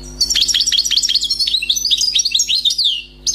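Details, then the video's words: Newly caught wild European goldfinch singing a flawless song: a fast, continuous run of high liquid twitters, tinkling notes and short buzzy trills, almost without pause, over a steady low electrical hum. "غناء حسون بري صيد جديد"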